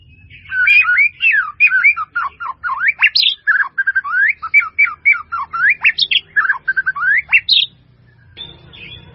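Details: Full-content song of a white-rumped shama, praised as melodious and used as a master song: a long, rich, nonstop stream of varied whistles, rising and falling slurs and sharp high notes, then a short rough burst near the end.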